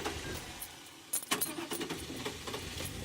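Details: Keys jangle and a vehicle rumbles during an early-morning safari drive at sunrise, with no animal sound.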